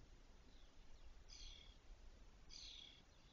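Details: Spotless starling at a nest of six fully feathered chicks in a cork oak, Doñana National Park, Spain, May 2023, as the first fledges, giving two short, harsh calls with a thin whistled edge, a second apart, over low wind.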